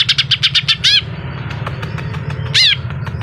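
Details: Greater green leafbird singing sharply and intensely. A fast string of clipped repeated notes gives way to bold arched whistles, separated by a pause, over constant low droning background noise.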